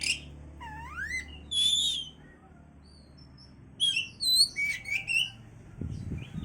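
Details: Oriental magpie-robin song aimed at raising breeding condition: rising slurred whistles and buzzy notes, a quiet gap, then warbled whistled phrases, with a low thump near the end.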